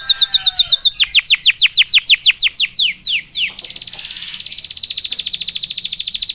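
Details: Canary in full song, used to rouse other canaries into quick singing: fast trills of steep descending whistled sweeps, about two per second, switching midway into a rapid, even buzzy roll of high notes.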